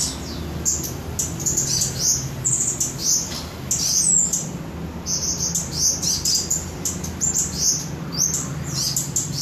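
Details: Mountain leafbird from Samarinda singing a steady run of high, slurred whistles and quick chirps, repeated almost without pause, over a constant low hum and background hiss.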